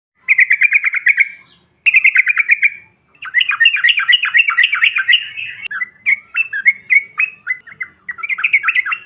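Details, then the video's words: Yellow-vented bulbul lure call used to provoke other birds: rapid chattering bursts of short notes, then a longer jumbled warbling run and choppy note clusters, with clean pauses between phrases. "TRUCUKAN BAHAN ATAU Ombyokan, Paut BISU Seketika BUNYI NGAMUK Mendengar SUARA INI"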